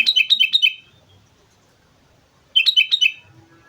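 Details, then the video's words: Sooty-headed bulbul from Mount Slamet, singing actively: two bursts of quick bubbly, liquid notes, about four notes each, separated by over a second of quiet, with a low hum in the background. "suara burung kutilang gacor gunung slamet"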